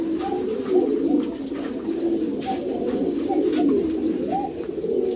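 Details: Several pouter pigeons, ornamental domestic rock doves kept in a loft, produce a steady bubbling mass of deep coos with occasional slightly higher swooping notes and soft clicks.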